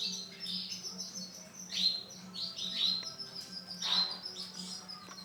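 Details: Male canary with orange and black colour variation giving short, bright chirps and quick upward-swooping notes roughly once a second, with a steady low hum underneath.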